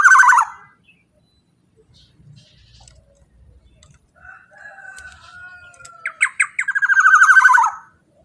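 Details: Black-naped oriole, loud sound meant to prompt other orioles, opening with a harsh burst near mid pitch, a near silent gap, then a long level note and rapid pulsed, buzzy notes building to a loud rasping finish.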